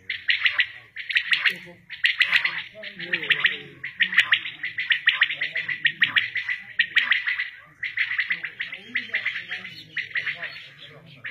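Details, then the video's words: Village quails at Shahbazkhel, linked with quail hunting, giving a steady run of short, harsh, pulsed calls about once a second for over ten seconds, over a low murmur of people talking. "Quails Sounds || Quails Calls"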